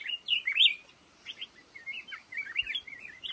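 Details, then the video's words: Song of a black-crested bulbul in a lồ ô bamboo stand: a loud opening burst of bubbly, quavering whistles, a short pause, then softer twisting notes. "tiếng chim hót trong bụi lồ ô"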